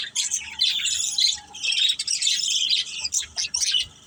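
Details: Playing budgerigars of one family: a loud, continuous high warble of chirps and harsh squawks, fading into choppier separate notes toward the end.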